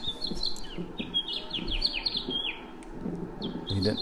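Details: House Finch song, common all over town and across the West: a rapid, jumbly run of bright warbled notes slurring up and down, often ending in a distinctive buzzy "zhreet", with a low murmur of voices underneath.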